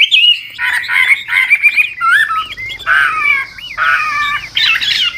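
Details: Chinese hwamei, old wild decoy bird, singing changing trilled phrases to stimulate newly caught birds: short slurred whistles and bent notes in separate bursts, with a rougher, fuller tone and steady low background noise.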